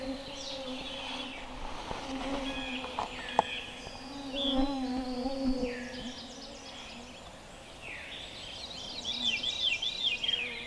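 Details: Veery giving a breezy, spiraling, descending buzzy trill song in woods around an off-grid log cabin, over a steady low hum with other birds calling.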